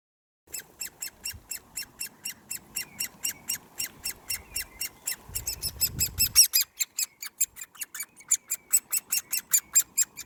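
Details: Great Spotted Woodpecker chick being hand-fed on 1 June 2020, giving rapid, steady trains of short harsh high-pitched begging notes, roughly three to four per second, with a low thud partway through.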